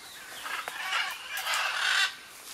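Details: At a nesting colony in Acreúna, macaws call in the afternoon from dead buriti palm trunks beside a reservoir, where parakeets and parrots also nest. Loud, grating squawks come in quick succession, then break off abruptly near the end.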